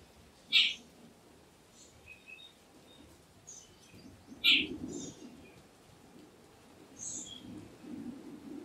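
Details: Two sharp, grating calls from a jungle babbler (Bengali ছাতাড়ে) stand out about four seconds apart over a low background hum, with faint higher chirps from other birds between them.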